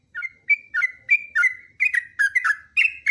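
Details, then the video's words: Clear, slurred whistles repeated roughly three times per second, each note dipping downward, form a steady cheerful phrase from a yellow-vented bulbul in a long continuous training recording. "TRUCUKAN GACOR ROPELAN PANJANG"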